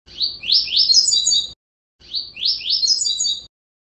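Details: Rusty-collared seedeater (Sporophila collaris) giving a fast song meant for training young birds: a bright, high phrase of quick rising and falling notes, about one and a half seconds long, given twice with a short pause.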